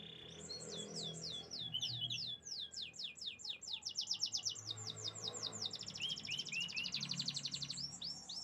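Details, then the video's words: Canary singing: rapid series of high, sweeping whistled notes rolling into fast buzzy trills, then a few lower rising chirps, repeated in quick succession over faint background hum. "the beautiful chirping sounds of canaries"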